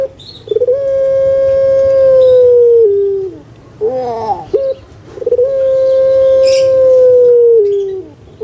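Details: Captive spotted dove of the puter pelung type, jumbo-sized, delivering two long sustained hoots, each steady for about two seconds before sliding down, with a short warbling gurgle between them.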